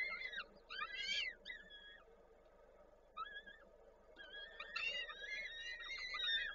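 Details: At a nest in Koszalin, Poland on 13 May 2022, a female peregrine falcon feeds the chicks with prey. Bursts of arched whining calls, a brief lull, then a busier stretch of overlapping calls over a faint hum.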